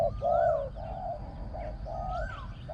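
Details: Spotted dove, a decoy bird for luring wild doves on the ground, praised for a small, ringing voice and very good coo phrasing. Deep, throaty coos in a short phrase, with a thin rising whistle from another bird and a low background rumble.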